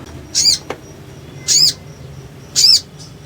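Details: A crimson sunbird (Aethopyga siparaja), in a recording used to prompt sunbirds to sing, gives three very high, thin, shimmering phrases about a second apart, with a single soft click between the first two.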